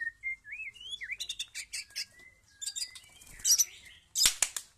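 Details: White-rumped shama song: varied phrases of clear rising and falling whistles mixed with rapid buzzy, scratchy bursts and sharp clicks, delivered in irregular short runs with brief pauses.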